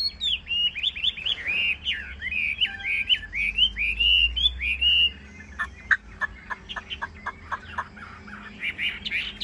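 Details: A caged, largely tame hwamei sings fluid, rising whistled phrases in quick succession, then switches to sharp, separated chips and a final bright flourish.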